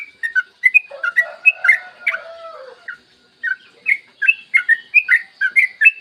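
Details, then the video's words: Yellow-vented bulbul giving a long, rapid ropel song, recorded clear in the morning as a master track to prompt other bulbuls to sing: quick bubbly whistled notes, lower gliding notes near one second, a pause around three seconds, then a brisk chattering run. "Masteran trucukan gacor ropel panjang cocok buat pancingan trucukan agar cepat bunyi dan ropel"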